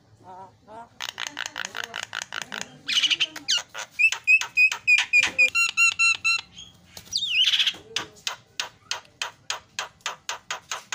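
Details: Javan myna singing a loud, varied song of rapid harsh repeated notes, buzzy bursts and a run of sharp whistled notes, delivered at a quick steady rhythm with brief pauses.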